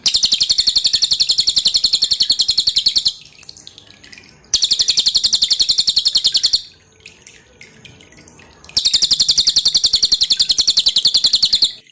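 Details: Pin-striped tit-babbler song used for training cage birds: loud, dense bursts of rapid high chattering notes, about four per second, each lasting a few seconds, separated by pauses filled with dripping water clicks.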